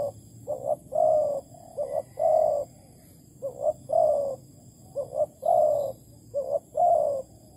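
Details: Spotted dove in Malaysia, recorded 11 August 2020 while trapping with a decoy; four clear phrases of two short rising coos and a longer descending, warbled coo, repeated every two seconds or so in a quiet setting.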